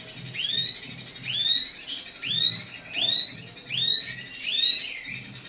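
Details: Drongo provoking a rival with song: six long, upslurred whistles climbing steeply, each followed by a brief downturn, spaced under a second apart over a faint steady hiss.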